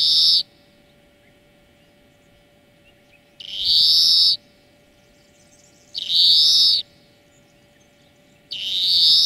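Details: Greenfinch wheezing song for training birds: four drawn-out nasal buzzes, each under a second, repeated roughly every two and a half seconds with silence between.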